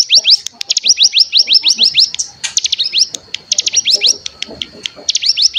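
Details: Cigun decoy song played to get other cigun singing: rapid strings of high rising-then-falling whistled notes, fired several per second in long bursts with brief pauses and a faint steady tone behind.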